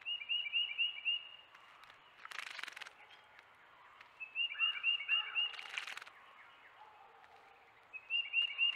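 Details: Wrens visiting a bird bath repeat bursts of fast, bright chipping notes three times, with loud splashing between bursts and faint softer chirps underneath.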